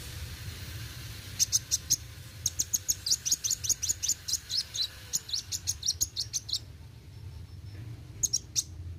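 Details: Olive-backed sunbird, known locally as kolibri wuling, in busy roll tembak song: after a quiet start, a dense run of sharp high chips, then a pause and a short closing burst, steady low hum behind.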